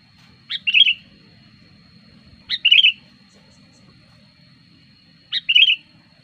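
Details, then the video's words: Sooty-headed bulbul used as a lure bird, singing energetically as wild bulbuls approach: three short bright phrases, each a sharp high note then a bubbly warbled flourish, repeated about every two and a half seconds, with a faint low hum. "suara pikat burung kutilang gacor ampuh"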